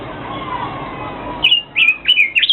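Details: Quiet murmuring background first, then a Chinese hwamei bursts in with four bright, slurred whistled notes that rise and fall in quick succession.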